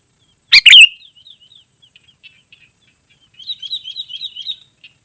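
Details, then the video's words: Sooty-headed bulbul singing, used to call wild birds and tutor caged ones: one loud, harsh chirping burst, then soft scattered ticking notes and a quiet rapid twittering phrase near the end. "Suara Burung KUTILANG GACOR Sangat Rapat"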